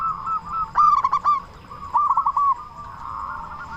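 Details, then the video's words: Local zebra dove with a big voice, singing to stir other doves into song. A quick rippling burst of coos, then a second shorter rolling phrase, with a softer dove continuing behind. "Perkutut Lokal Gacor Suara Besar Pancingan Burung Perkutut Agar Cepat Bunyi"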